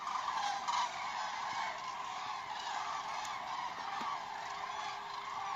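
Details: At Vanamõisa village, Haljala parish, Lääne-Viru County, Estonia, a flock of common cranes trumpets together, with loud, rolling, bugling calls overlapping into a steady, dense chorus.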